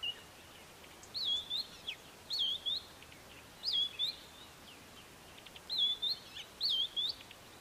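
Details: White-browed scrub robin repeating a short, high whistled phrase of wavering notes roughly every second, with brief pauses between bursts, faint hiss; Kap River Nature Reserve near Port Alfred, South Africa, April 2019.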